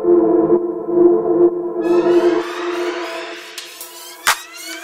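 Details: Electronic music with a steady low tone, then rising sweeping tones and a single gong-like strike, with no animal voice anywhere.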